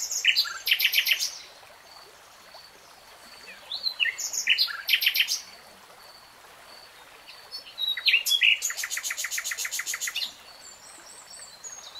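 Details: Common nightingale alternating quick clusters of sharp, rich notes with brief pauses, then a sustained rapid rattle of evenly spaced notes over two seconds; soft bird chatter in the distance.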